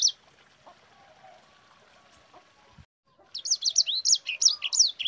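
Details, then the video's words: Sanger training song: one high note, nearly three seconds of faint background, then a rapid string of high looping whistles repeated about three per second. "Suara Burung SANGER GACOR Ngerol Pedas paling ampuh untuk Pancingan"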